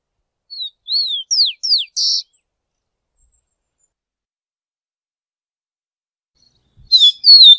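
A rufous-collared sparrow sings high, clear whistled slurs falling in pitch, ending in a brief buzzy trill; after a pause the phrase starts again.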